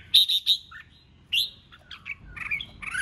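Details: Red-whiskered bulbul in 'ché chét' singing-contest voice: three sharp repeated whistled notes open, then after a pause come warbled, slurred phrases and chattering notes.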